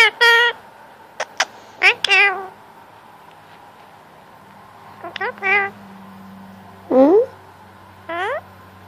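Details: Male Indian ringneck parakeet, a household pet, talking for attention at cuddle time: clustered harmonic notes, then a rising swoop and a falling phrase, over soft background music and low hum.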